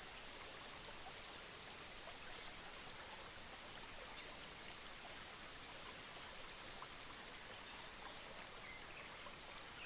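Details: Scarlet-backed flowerpecker recorded in its natural habitat giving very high, thin, sharp notes, several a second, in uneven bursts over faint background hiss.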